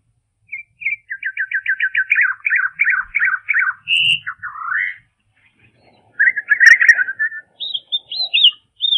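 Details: Half-speed recording of a European robin's song alongside a chaffinch: a run of quick repeated notes, then looping slurred phrases, a gap, and a burst of jumbled warbling ending in high wavering whistles.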